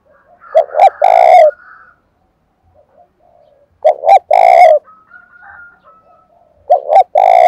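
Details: Fight-stirred spotted dove calling in the wind and rain of the seventh month, local-voice style: three loud phrases, each a couple of clipped notes leading into a long, rough coo, spaced roughly three seconds apart, a faint whistle between.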